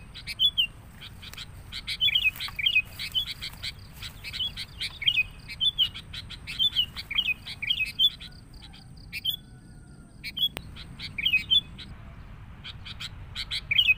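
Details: Sooty-headed bulbuls chatter busily in a lure recording used to attract the species, with bubbly, whistled chirps in quick bursts every second or so and sharp clicks between phrases.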